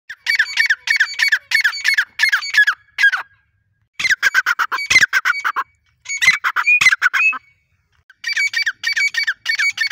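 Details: Female grey francolin, known locally as teeter, calling in harsh squawking bursts, rapid strings of grating notes broken by short pauses, then resuming.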